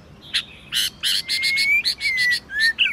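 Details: White-rumped shama in competition singing, varied voices: harsh buzzy chattering bursts alternating with long thin rising whistles and a short twisting whistled phrase at the end.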